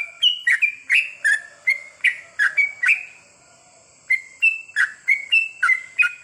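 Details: Sooty-headed bulbul in a night-time therapy recording for long goklik song: quick liquid whistled phrases of rising and falling notes, a brief pause near the middle, then more chirpy notes, with a constant high-pitched hum behind.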